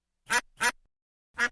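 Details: Duck quacking: two harsh, nasal quacks close together, a pause of about half a second, then a third quack, each short and raspy, with silence between.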